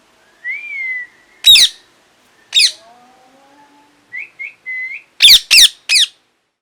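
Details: Parrot mixing long whistled notes and quick rising chirps with repeated loud, raspy screeches, three of them in rapid succession near the end.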